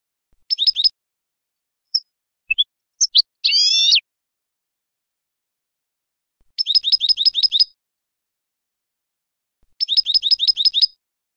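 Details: Goldfinch in clean contest-style singing, meant for educating novice goldfinches: short twittering runs, then scattered sharp single notes and a longer buzzy, slightly falling trill, followed by two fast repeated chirp series in clean silence.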